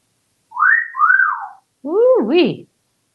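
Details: Male African grey parrot hatched in 1997, living indoors in a home in Texas, whistles two smooth rising-falling notes, then a lower, wavering, voice-like double swoop.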